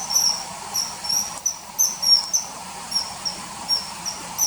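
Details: High, thin common kingfisher whistles dubbed over riverside hunting footage from early September 2020, about two or three short sharp notes per second, slightly irregular, against faint constant noise.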